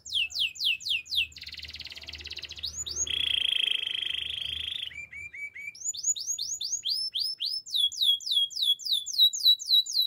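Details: Canary song for singing practice: fast repeated downswept notes, a buzzy roll and a long steady trill, a few short notes, then a renewed string of swept notes.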